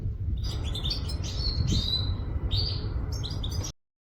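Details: Goldfinch from Quetta giving a short burst of song: chattering twitters and a few drawn-out whistled notes, about three seconds long before it stops abruptly, with low rumbling noise underneath.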